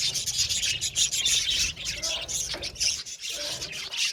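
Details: Many budgerigars in a colony chattering together, harsh scratchy chirps blending into a rasping high-pitched wash, dipping briefly near the end before picking up again.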